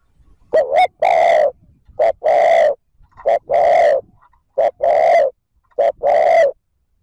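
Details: Spotted dove thúc gù cooing, used to lure and stir wild doves into answering: low hollow coos in short-then-long pairs, the pair repeated roughly every 1.2 seconds, with clean quiet gaps between phrases.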